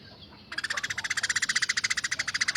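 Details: Tame, vocal Eurasian tree sparrow giving a coarse 'tembakan' burst: after half a second of quiet, a fast harsh rattle of buzzy pulses, about fifteen per second, runs steadily to the end.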